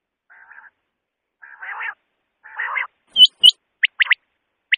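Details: Common quail (batair), sound played as a night hunting lure: three soft buzzy, nasal notes, then two loud clicking whistles and quick sharp whistled pips near the end.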